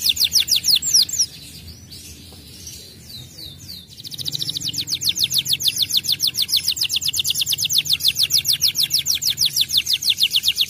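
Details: Canary tutor song: high, thin, fast-repeated downslurred notes, about three a second, first briefly, then after a pause a long, even, rolling series that lasts over six seconds, with a low background rumble.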